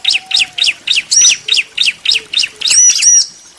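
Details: Bar-winged prinia, male and female answering each other, possibly captive: rapid series of sharp high chirps about four per second, with a few louder arched whistled notes mixed in.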